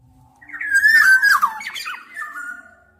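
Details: Black-naped oriole uttering a harsh, nasal, squawking phrase with mellow whistled undertones, fading out over about two seconds.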